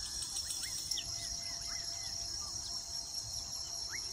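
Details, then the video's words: Nest-building weaver birds in Uganda give short, rising chirps and slurred notes, scattered and irregular, against a constant shrill insect drone. "sights & sounds of the weaver birds intricate nesting habits"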